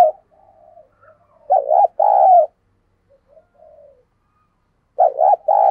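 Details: Decoy spotted dove, caged, calling in 'gáy sung' fashion to provoke newly caught doves into cooing: two phrases about 3.5 seconds apart, each a short doubled note and a longer mellow coo, faint murmurs between.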